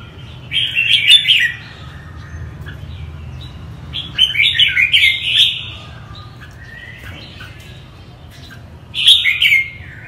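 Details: Red-whiskered bulbul of the northern Vietnamese type singing three separate bursts of bubbling, warbled whistled notes, each about a second long, spaced several seconds apart, over a soft low background hum.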